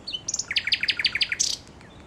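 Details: Common nightingale singing in Westduinpark: a rapid phrase of about six loud, repeated down-slurred notes, led in by a few thin high notes and ended by a brief buzzy flourish.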